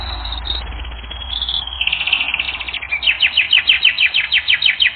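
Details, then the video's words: Canary song recorded for training: high held notes stepping downward, then a rapid, rhythmic run of sweeping chirps about three per second, with a low hum underneath. "Canary Training Recording"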